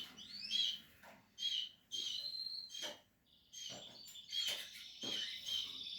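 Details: Portuguese harlequin canary at nest building time, giving separated bursts of high, ringing twitters and short trills with brief pauses between phrases; soft low rustles in the background.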